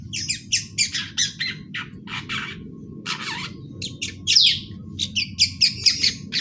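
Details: A juvenile long-tailed shrike practising its song: a rapid, uneven string of short scratchy chattering notes, several per second, mixing harsh bursts with a few thin whistled slurs, against a faint steady hum.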